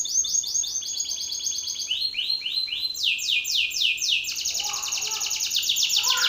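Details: Belgian canary male singing loudly at another male, calling out an opponent: fast rolling trills of high downward-sweeping notes, about four per second, shifting in pitch between phrases, with a brighter, higher tour after three seconds.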